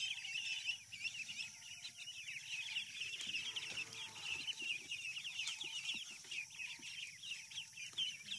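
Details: Many farm ducklings peeping together: a busy wash of shrill, short cheeps with occasional louder notes and a low hum behind.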